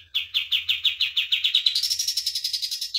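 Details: Training master song of a common iora: a series of sharp downslurred notes that accelerates and climbs into a high, buzzy, rattling trill, ending on a lower note.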